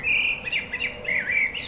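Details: Common blackbird singing from a branch outside a window gives a brief run of mellow, wavering notes sliding up and down in a mid-high register, with a few thinner squeaky touches over faint hiss.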